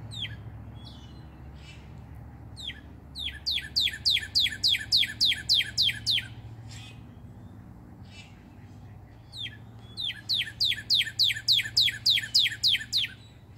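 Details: Male northern cardinal on a redbud singing loudly to attract a mate: two quick runs of about a dozen clear, downslurred whistles each, bright and evenly spaced, over a faint low hum.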